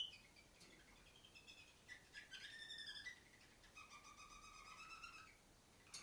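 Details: Female canary perched atop the farthest cage, singing chirping phrases: bright harmonic notes and short trills, with a sustained whistled stretch near the end, heard from some distance in a quiet indoor setting.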